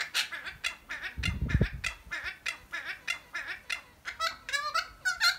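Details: Two noisy friarbirds chatting in a holly fuchsia shrub, giving loud harsh nasal honking notes in rapid runs, roughly three to four per second, with a brief low thump near the middle.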